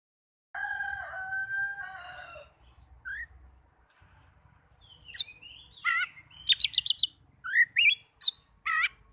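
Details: Oriental magpie-robin song used as a lure to get caged birds singing: steady whistled tones with harmonics, then a break and a burst of sharp rising and falling whistles and chirps, with a low hum underneath.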